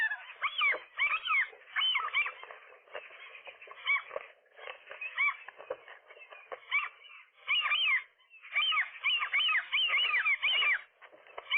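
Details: Nesting gull couple wrestling with a single intruder one April 2023 morning; continuous loud squealing and yelping, rapid arched notes crowded together with brief pauses.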